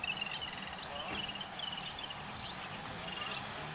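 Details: Yellow-billed babbler chicks being fed by adults beg with a busy, overlapping stream of high, scratchy chirps and squeaks, amid a steady low background hum.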